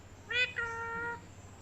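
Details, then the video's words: Talking parrot produces one short harmonic syllable followed by a longer steady nasal tone, resembling a meow, with low background hum. "Very cute parrot talking | Funny parrot talking video"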